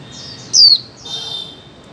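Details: Female white-eye recorded in 2024 to stimulate mute birds to sing: one sharp high falling note preceded by soft chirps and followed by a fainter drawn-out buzzy sound, over low hiss.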